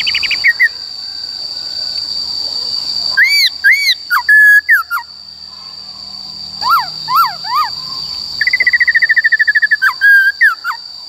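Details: White-cheeked laughingthrush singing a forest-style song, used to train the voices of wild-caught and young birds. Loud whistled notes, some looping up then down, others sliding steeply down, then a fast trilled run near the end, over a steady high electronic tone.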